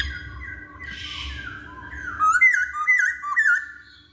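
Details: Masked laughingthrush song played as a lure for other birds: soft noise at first, then loud wavering whistled phrases with quick up-and-down slurs, repeated about twice a second.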